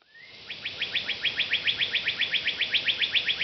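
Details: A male Northern Cardinal on July 10, 2017 at Oak Point Park, Plano, Texas, gives a fast, even series of clear, downslurred whistles, about four or five notes each second, over a soft steady hiss.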